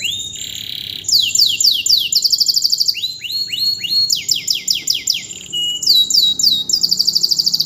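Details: After its moult, a canary used to teach other birds sings vigorously: buzzy trills alternate with bursts of fast, repeated, steeply falling whistled notes and rapid high rolls, constantly changing pattern.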